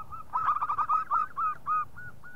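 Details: Zebra dove of the local type (perkutut lokal) giving a quick string of ringing, clipped coo notes that start fast and blurred, then slow into a few separate, longer, cleaner notes at the end.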